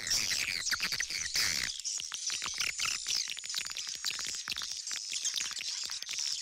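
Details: Edible-nest swiftlets, old-style call versus roosting sound, used as a lure to draw swiftlets to settle in a nesting house: dense, high, rapid twittering chirps and clicks, overlapping continuously with a faint hiss beneath.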